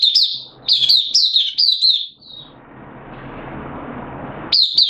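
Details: Oriental white-eye in a cage, a hobby songbird recorded 8 September 2022 when its form had dropped a little: a quick run of high sweet chirps, a long pause with background hiss, then more chirps.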